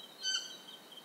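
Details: Short single call of a Stygian owl in Ecuador, tonal and bright with stacked harmonics, heard early, followed by steady high insect whine.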